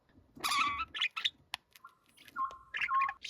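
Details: Pet young budgerigar known for a gruff, man-like voice: a scratchy burst, then several flat, steady whistled notes of middling pitch, each lasting about a quarter second.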